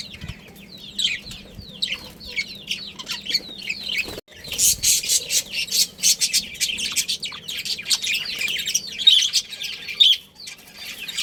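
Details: Breeding budgies in a colony: a flowing warble of quick curved chirps, then a dense, noisy burst of overlapping squawks and chatter after a brief pause.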